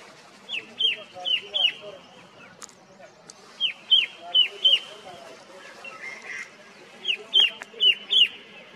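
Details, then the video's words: Red-winged shrike-babbler in mountain forest at Motidhar, Mussoorie, gives three bursts of three or four loud, sharply down-slurred whistles, about a third of a second apart, over a soft background hiss. "Red-winged Shrike Babbler calls loud and clear"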